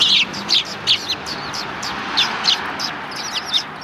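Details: Sparrows on a road near a Tenmangu shrine, 13 December 2019, giving quick, high chirps in loose repeated bursts, strongest at the start, with steady ambient hiss.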